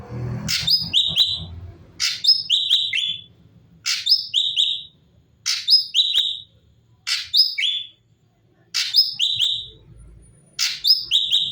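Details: Cucak cungkok bulbul in full, steady song, recorded as tutor material for training other songbirds: short whistled phrases of bright descending notes, repeated roughly every one and a half seconds with silent gaps between, over faint low rumble.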